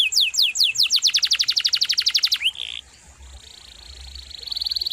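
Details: Actively singing canary for songbird tutoring: a fast run of sharp repeated sweeping notes, a short buzzy whistle, then a faint thin trill that grows again toward the end.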